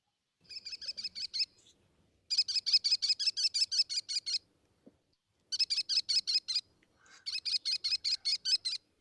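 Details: American kestrel, New York City's commonest raptor, which nests on high building ledges, giving the call often heard near its nest: four quick bursts of shrill, high "klee-klee-klee" notes, about ten per burst, separated by brief pauses.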